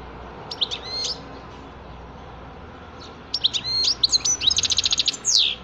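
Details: European goldfinch singing: a short twittering phrase, a pause, then a longer burst of high tinkling notes that ends in a fast run of clipped, evenly repeated notes and a final buzzy sweep, over a steady low hum.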